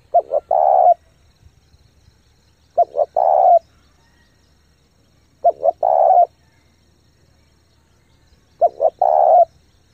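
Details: Spotted dove in intense rapid cooing meant to stimulate decoys and train untrained birds: four evenly spaced low phrases about every three seconds, each two short coos and a drawn-out final note, quiet surroundings.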